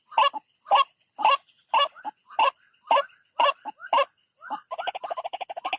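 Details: White-breasted waterhen calling while attacking a rival, used as a bird-trap recording: harsh honking croaks roughly every half second, breaking near the end into a fast stuttering run of short clucks.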